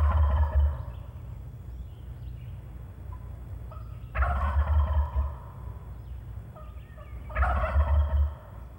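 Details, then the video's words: A wild turkey gobbles three times in loud rapid rattling bursts about three seconds apart, answering a hunter's turkey calling and gobbling each time before the call finishes, over a steady low rumble of wind. "notice how that turkey gobbles every time before terry finishes calling"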